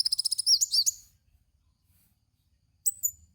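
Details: Kolibri wulung (Van Hasselt's sunbird), a lure recording for training cage birds: a rapid burst of high, thin chirps and sweeping whistled notes lasting one second, then quiet, then a short high chirp near the end.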